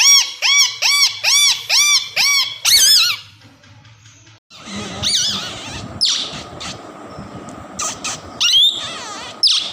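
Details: Two-year-old male plum-headed parakeet, a tamed talking pet, lets out a quick run of about nine arched, ringing chirps, then a noisier stretch with scattered sharp calls as an owner keeps speaking to it in Urdu.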